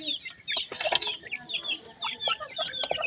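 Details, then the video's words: Several grey francolin chicks peeping: high, thin, slurred whistles, rising or falling, in quick overlapping bursts, with scattered sharp clicks and taps in between. "Teetar chicks awaaz, Grey Francolin chicks voices"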